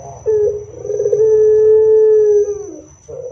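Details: Loud Barbary dove song, used to draw answering song from other doves. One drawn-out mellow hoot begins with a rough rolling note, holds steady for about two seconds, then dips and fades, followed by a short rolling restart.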